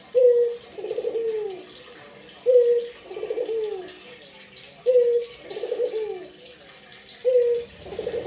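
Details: Barbary dove calling to stimulate other doves: regular paired coos, a short clear opening note then a trembling descending roll, every two and a half seconds, faint voice near the end.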